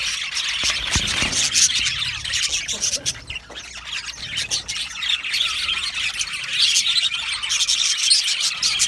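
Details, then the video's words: Budgerigars chattering as a colony in an aviary: a thick wash of high chirps and squawks, with a few lower thumps and brief dips in the middle. "Australian Budgie bird colony sound | Budgie natural sound | Budgie parrot chirping sounds"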